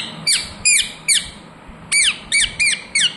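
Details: Rose-ringed parakeet, a pet ringneck, giving sharp, shrill squawks that fall in pitch, about seven in three seconds, in irregular spacing within a small room.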